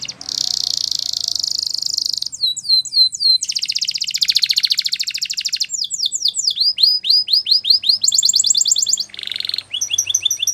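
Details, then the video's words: Canary training song, said to be Spanish Timbrado style: loud, clear singing in fast trills and rolls, sweeping whistled notes repeated in quick runs, and a sustained buzzy rattle, changing phrase every second or two. "Canary singing Bird Sounds At Its Best | Melodies Canary Bird Song"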